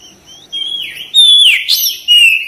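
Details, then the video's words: Kacer (Oriental magpie-robin) singing hard with tail spread: soft opening whistles, then louder sliding whistled notes, a sharp chirp, and a final clear descending whistle. "TERAPI KACER CEPAT RESPON GACOR BUKA EKOR"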